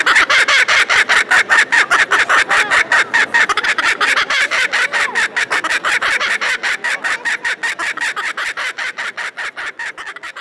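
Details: Displayed kookaburra at a Beauvais poultry show, France, May 2019, delivering a long rhythmic laugh of loud harsh staccato notes that gradually fade and slow toward the end.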